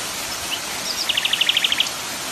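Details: Common nightingale against constant waterfall noise: a soft opening note and twitter, then a rapid run of about ten evenly spaced, clipped notes at a steady pitch, growing slightly louder.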